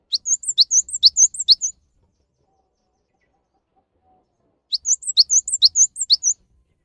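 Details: Java sparrow lure song for coaxing reluctant caged birds into singing: two bursts of rapid paired chip-and-whistle notes, each burst under two seconds, divided by about three seconds of silence.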